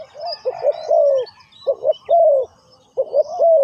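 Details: Decoy spotted dove calling during ground trapping of wild birds: a few soft coo phrases, clipped notes followed by a long descending coo, separated by pauses, with scattered high bird chirps.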